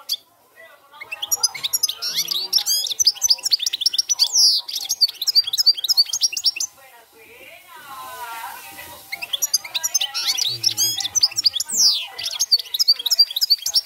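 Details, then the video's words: European goldfinch in cante campero style delivering long runs of quick, high, chattering twitters and buzzy trills, falling quiet for a moment in the middle before resuming, with soft music and voices beneath. "jilguero cante campero"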